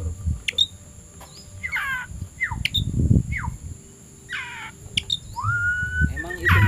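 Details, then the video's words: Oriental magpie-robin, said to be ready to fight a rival, late afternoon: scattered downward-sliding whistles and buzzy phrases, one long slightly rising whistle, over low rumbling noise and handling sounds. "KACER SIAP TARUNG CARI LAWAN..!!!"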